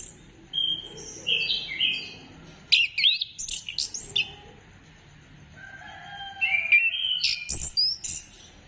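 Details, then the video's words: Orange-headed thrush singing, played to prompt other birds to sing: two bursts of varied, clear whistled and chattering phrases, some sweeping down, others high and thin, separated by a pause of about two seconds. "Gacorkan Burung Anis Kembang Dengan Pancingan Suara Ini"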